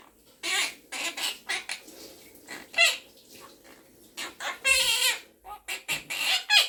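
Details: A pet Quaker parrot, or monk parakeet, talking and singing with its owner indoors chatters in a dense run of raspy, speech-like bursts with one longer wavering note, with barely a pause between sounds.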